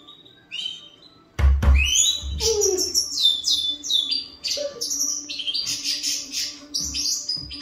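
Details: European goldfinch of the major variety singing, recorded in 2021: a lively, fast twittering stream of high tinkling, rising and falling notes and buzzy trills, preceded by a loud thump and a low hum.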